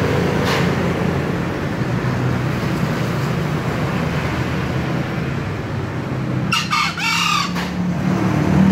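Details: Low steady rumble for most of the clip before a green junglefowl gives one hoarse, clipped, two-part crow near the end.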